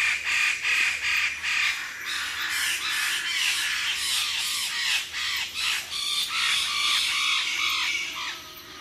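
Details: Close recording of a group of Wallace's standardwings giving animated calls from a perch at Labilabi; loud, harsh, overlapping squawks and rasping notes pour out continuously, with a few clearer whistled tones mixed in.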